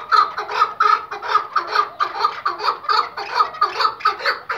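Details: Iraqi white hunting decoy partridge calling loudly: strong, regular chuk-chuk notes repeated about twice a second in a steady rhythm, each note clipped and harsh.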